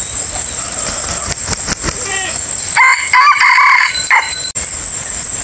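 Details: Chicken used as a hunting decoy for the 2023 season crows once, a rough, multi-part crow lasting about a second and a half, with faint clucks before it and a constant shrill electronic hum throughout.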